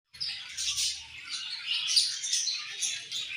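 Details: Budgerigars chirping during their morning feed: a dense, continuous wash of high, scratchy twitters and warbles from several birds overlapping, with no clear gaps.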